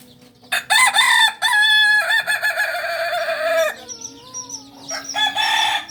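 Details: Native Solok singing chicken, a Kokok Balenggek rooster kept on a farm, crows loudly in a string of stacked, level syllables stepping down in pitch over about three seconds, with faint bird chirps afterward.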